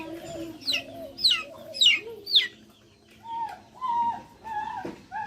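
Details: Backyard chickens: four loud falling peeps, then lower, drawn-out whining notes that dip at the end, with soft low clucking throughout.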